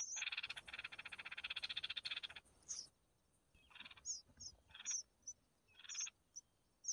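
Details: Mother red-whiskered bulbul feeding her chicks, which give a long grating, pulsed begging rasp over two seconds, then shorter buzzy bursts mixed with sharp high whistled chips.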